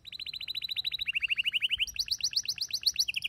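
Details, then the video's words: Domestic canary, a male singing alongside a female calling for mating: rapid trills of repeated high chirps, the phrase shifting upward twice to faster, higher syllables. The background is quiet. "صوت طلب إنثى الكناري التزاوج مع غناء فائق الروعة لذكر "canary""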